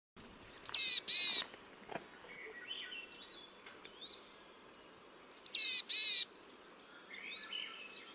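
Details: A Boreal Chickadee, a Newfoundland breeder, gives its chick-a-dee call twice, four seconds apart, slower, buzzier and more nasal than a black-capped chickadee's. Each call is a quick high note, then two drawn-out wheezy notes, with faint chirps between.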